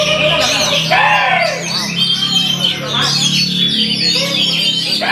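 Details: Oriental magpie-robin performing energetically, pouring out rapid varied chirps, whistles and buzzy trills, with bright rising and falling notes packed closely together and a steady low hum running underneath.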